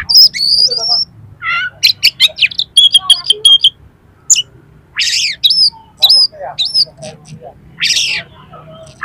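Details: Harsh, rough-material song of an oriental magpie-robin played to raise another magpie-robin's aggression: dense varied whistles, rasping bursts, and repeated hooked whistled notes, continuing almost without pause.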